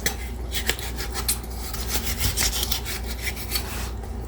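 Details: Repeated scraping and rubbing strokes, like utensils against a pot, over a low steady hum, with no animal sounds.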